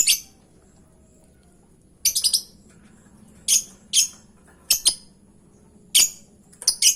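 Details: Shrill lovebird squawks used to tempt a reply, a quick triple burst followed by single and doubled harsh chirps at irregular intervals of about one second.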